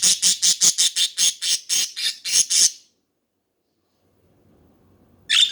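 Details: Budgerigars calling with a fast, even run of about a dozen harsh squawks in under three seconds, then silence before one more loud squawk.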